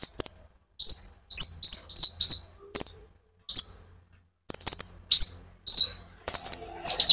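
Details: Brown-throated sunbird (konin) singing gacor 'ngerol' rolling song as a lure for olive-backed sunbirds. Quick runs of high whistled notes mix with short buzzy chatters in an uneven rhythm.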